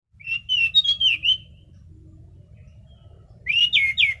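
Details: Orange-headed thrush, a caged songbird in full song, gives two bursts of loud whistled phrases around a steady pitch, notes warbling and sliding, separated by a quiet pause with low background hum.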